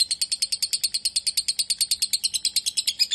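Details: Quick, evenly spaced shrill chirps, about three per second, from a lovebird described as a fighter, continuous and clear.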